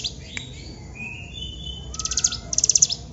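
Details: Hill prinia in lively long-burst song. After a quiet start with thin whistles, two fast buzzy trilled bursts arrive near the end over a steady low hum.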